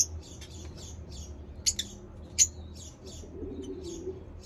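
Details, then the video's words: Lovebird chirping: high, thin, short chirps repeated at an uneven pace, more than one a second, with a few sharper clicks, over a low steady hum. "lovebird chirping sounds"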